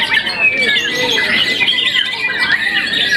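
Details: Contest-winning young white-rumped shama, moulted once, singing fast twisting whistles and scratchy notes, with a faint low voice-like sound underneath.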